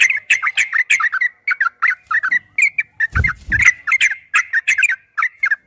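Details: Yellow-vented bulbul in a long rapid ropel-style song used as a training recording: quick chattering runs of bubbly, slurred notes with sharp clicking accents, a soft low thump near the middle.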